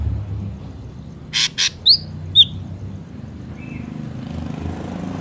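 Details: Ashy drongo, a natural recording meant to lure wild birds for trapping: two harsh buzzy bursts followed by two sharp slurred whistles, then a faint short note, with steady vehicle rumble underneath.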